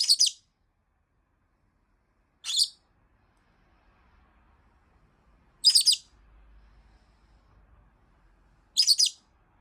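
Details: Pet rosy-faced lovebird calling nonstop in complaint after a week without play, keeping on even as the camera comes close; four loud, harsh shrieks, each under half a second, repeat about every three seconds with a faint low hum between.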